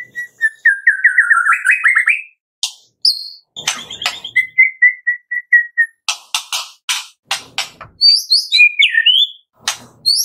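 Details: Medan white-rumped shama singing a varied full song: a fast stuttering whistled run rising in pitch, flat repeated whistles, then high twisting notes, broken by sharp dry clicks throughout.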